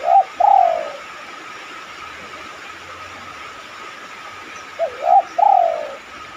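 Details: Spotted dove cooing as a lure for other doves: one phrase ending in a drawn-out falling coo, a pause of about four seconds, then a second phrase of two short notes and a long coo, over a steady hum.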